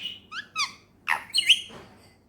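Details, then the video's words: Pet talking Indian ringneck parakeet indoors: a few short whistled, falling notes, then a burst of harsh, speech-like chatter. "talking parrot Mitthu"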